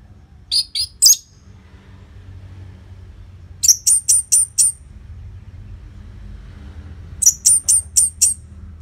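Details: Orange-headed thrush singing, used to coax caged birds into song: a few sharp notes, then two separate bursts of five quick, high, clipped chirps against faint background hum.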